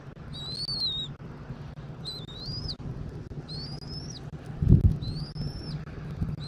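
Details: Eagle on a Southwest Florida nest, camera recording from 13 January 2024, 14:17; a series of high, thin rising whistles roughly every second, a steady low hum and one brief rustle.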